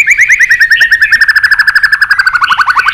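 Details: White-rumped shama in competition fighting song, a fast even trill of about forty rapidly repeated short slurred notes held for three seconds, falling slightly in pitch at the end.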